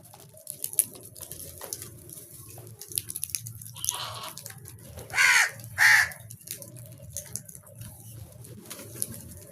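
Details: Crow giving two harsh, grating caws about half a second apart, standing out over quiet rustling and a low background hum.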